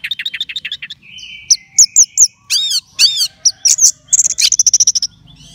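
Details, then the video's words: Contest-kept orange-headed thrush singing energetically: a fast stuttering series of repeated notes, a thin drawn whistle, bright upslurred chirps, harsh rasping bursts and a final rapid run of identical high notes. "Kalau Sudah TELER Begini Anis Merahnya"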